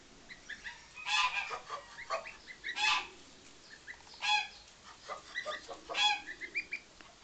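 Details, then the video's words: Brecon Buff goose mother with three goslings hatched two days earlier, a rare English breed. Loud harmonic honks recur about every one and a half seconds, with softer chattering and peeping notes between them. "Brecon Buff goslings - day 2"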